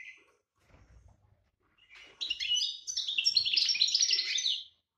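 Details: European goldfinch singing in breeding condition, 2018 season: a short rising note, then a long, fast, tinkling twitter of high, buzzy and liquid notes with dense trills that lasts about two and a half seconds.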